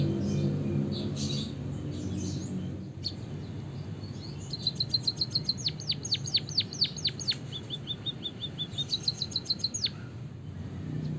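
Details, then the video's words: White-headed munia song with canary fill, used as a training recording for other birds: after a noisy start, a rapid run of high falling chirps and short even whistles, resuming later in a second burst. "suara burung emprit peking bondol kaji gacor isian kenari ngeroll panjang untuk masteran"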